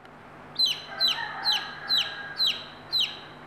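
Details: Chicks of native country chickens with their mother hen, which calls them to food; six loud, high, downward-sliding peeps, about two per second, over a steady low hum.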